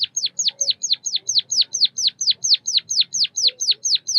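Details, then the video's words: Steady series of sharp, high, downward-slurred notes, roughly four per second, from a White-headed munia (Lonchura maja), a Southeast Asian songbird, with a soft low hum behind. "Bird chirping sounds | white headed munia"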